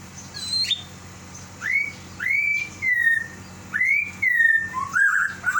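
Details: Caged lovebird calling out to its companion that has left the cage: clear, whistled notes that rise and then fall, repeated roughly every second, ending in a few shorter, rougher chirps.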